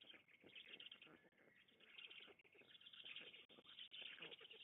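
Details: Feeding at a black stork nest near Łódź, Poland, on 16 June 2021: dense, scratchy hissing and rasping goes on almost without a break, with a few sharp clicks.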